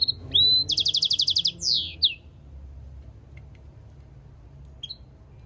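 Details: Goldfinch-canary mule song phrase: a rising whistle, then a rapid run of about ten sharp repeated high notes and a falling slur, followed by near silence with a faint late chirp.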